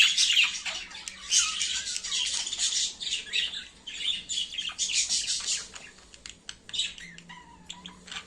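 A budgerigar chatters in a fast, scratchy warble broken by sharp squawks, a courtship sound.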